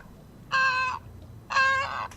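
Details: Great egret, a common bird in the Santa Fe, Argentina river region that seldom calls, now abundant because low river levels make fishing easy. Two drawn-out, nasal, crying calls, each about half a second long and a second apart, likened to a crying baby, over a low hum.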